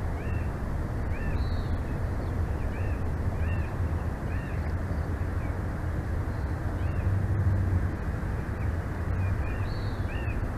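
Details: Bald eagle pair at their nest in Big Bear Valley, 06/09/2024, 14:43: thin high chirps repeated about every half second to second, with a few higher whistled notes, over a loud steady low rumble of wind-like noise.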